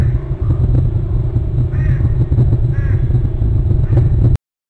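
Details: Bald eagle at its nest territory on Hornby Island, calling while chasing another eagle away. A few short, arched, squeaky notes sound about a second apart over a steady low rumble.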